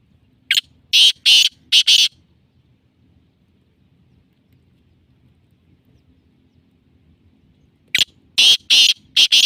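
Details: Black francolin (kala teetar) calling: two phrases of harsh, rasping, buzzy notes, four to five notes each in quick rhythm, separated by about six seconds of quiet with low background hum.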